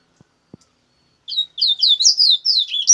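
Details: Double-collared seedeater singing coleiro bruto: after two soft taps, a rapid continuous string of bright, high, slurred and warbled notes rising and falling, fast and unbroken for nearly two seconds.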